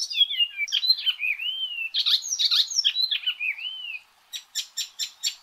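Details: Icterine warbler singing loudly: varied scratchy chattering notes mixed with smooth arching whistles that rise and fall, ending in a short series of evenly spaced sharp clicking notes.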